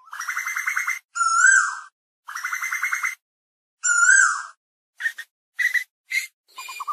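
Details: Asian koel calling the flock: harmonic whistled notes with a rising-falling arch alternate with buzzy pulsed phrases. These give way to short clipped chirps, with abrupt silent gaps between bursts.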